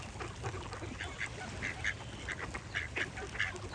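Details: Quacks from a duck, a series of short raspy notes spaced about half a second apart, with a faint hiss behind.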